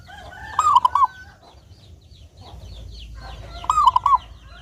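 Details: Clear-voiced local zebra dove used as a lure so doves sing often: two rapid cooing phrases about three seconds apart, with high chirps from other birds and a low background rumble.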